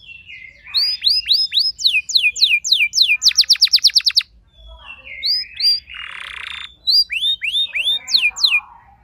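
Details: Home-kept canary responding to another singer: loud series of downward-swept whistled notes, a rapid buzzy trill, a brief pause, then a harsh noisy burst and more sweeping whistles.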